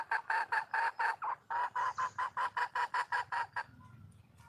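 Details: Wild junglefowl hen calling for a mate: a steady series of about fifteen short, harmonic, clucking notes, roughly four per second, with a brief pause partway through, then quiet with faint background sound.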